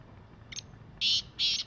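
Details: Wild native black francolin calling. A faint short note is followed by two loud, harsh, grating notes about a quarter-second long, with a low background hum.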